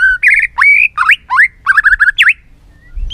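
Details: Many-voiced white-rumped shama song: quick rich phrases mixing steady whistles, trilled notes and swooping rising and falling slurs, delivered in fast bursts, with a rising whistle at the end.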